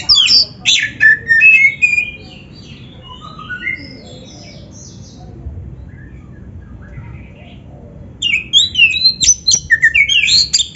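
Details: Kacer, Oriental magpie-robin, in varied song used as a masteran for training: a loud burst of rich whistles, then softer descending notes fading to quiet for several seconds before another dense, rapid twittering phrase.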